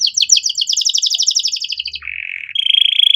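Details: Domestic canary in full song, a training master recording with rich ornamented phrasing: a fast rattling trill of high notes, a lower buzzy roll, then a steady, even, high-pitched trill.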